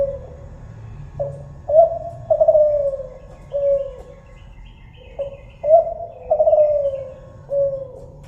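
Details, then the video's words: Kelantan-style spotted dove calling in two similar phrases. Each starts with a short coo, rises to a strong quavering coo that slides gently downward, and ends with a lower, softer coo. "suara burung tekukur kelantan"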